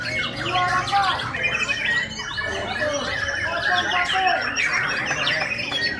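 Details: Two Aceh white-rumped shamas competing against each other in a singing contest arena: loud, varied whistled phrases, rising and falling slurs and harsh squawky notes tumble over each other, with voices and crowd noise from the contest in the background.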